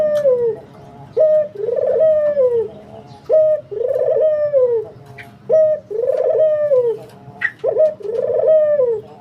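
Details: Spotted dove cooing steadily: repeated phrases of a short coo followed by a longer, low arched coo, about four phrases in succession, loud and clear with little background.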